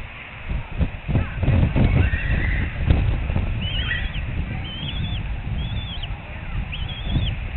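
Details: Adult female eagle at her nest in Surrey Reserve on 4 April 2021 at 2:42 p.m., standing and calling out beside a day-old hatchling and a pipping egg; four short, high, wavering squealing notes in the latter half over a heavy low rumble.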